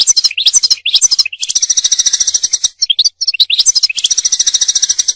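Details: Mating and training song of the European goldfinch: fast twittering chirps leading into long buzzy, rattling trills, repeated twice in a dense high-pitched stream.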